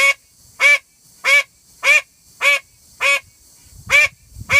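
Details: Female call duck giving a loud, persistent series of about eight harsh, buzzy quacks, each evenly spaced, with low rustling and handling noise audible near the end.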